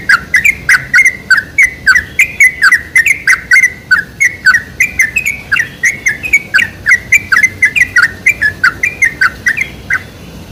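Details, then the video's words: Lure song of the sooty-headed bulbul, known locally as trucuk, played to get bulbuls singing. A steady stream of chirpy, warbled whistles, each note sliding down then up, comes in quick even succession for ten seconds against a quiet background. "PANCINGAN SUARA TRUCUK TERBAIK"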